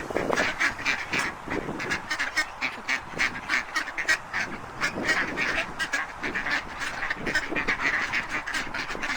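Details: Ducks in nature calling: a steady stream of nasal, honking quacks from several birds, repeated rapidly and overlapping with no pause throughout.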